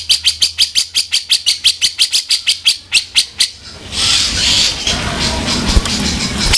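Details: Black-crested bulbul tutor song of the rough 'kasaran' style: a rapid series of about twenty sharp, regularly spaced chirps with bright high overtones over roughly three and a half seconds, then a burst of broad noisy sound.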